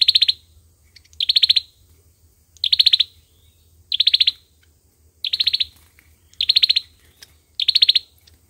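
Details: Seven high, fast-pulsed rattling trills from an Olive-backed sunbird in fighting song, recorded as a trapping lure; each burst is brief and sharp, spaced about one to one and a half seconds apart.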